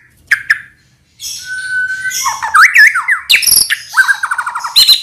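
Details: Murai batu, the white-rumped shama, in full song meant to lure other birds into singing. Two sharp notes, a pause, then a long steady whistle leads into swooping slurred phrases and fast repeated trilled notes.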